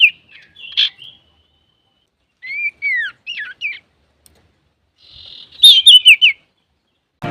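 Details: Male common iora (cipoh, sirtu) singing to provoke other birds: scattered chirps, a series of three curving falling whistles, then a buzzy trill leading into loud rapid warbling notes, ending with a brief low thump.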